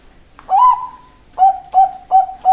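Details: Bangkok-type zebra dove cooing: a rising whistled opening note, a pause, then four short, clipped, mellow coos in quick succession on one steady pitch, in a quiet setting.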